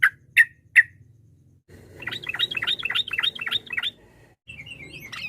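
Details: Yellow-vented bulbul singing to provoke rivals: three harsh chirps, then a fast, bubbly run of looping warbled notes, followed by brief thin whistles, over a low hum.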